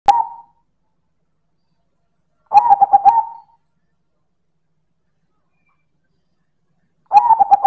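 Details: Silver zebra dove (perkutut) in loud manggung cooing: three mellow, hollow, pulsed phrases, the first cut short, each a fast run of throbbing coos ending in a drawn-out note, separated by silence.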